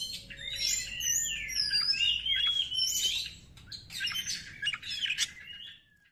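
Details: Lure song from an Oriental magpie-robin to raise emotion in other birds: loud sweeping whistles and dense chattering phrases, fading out at the end.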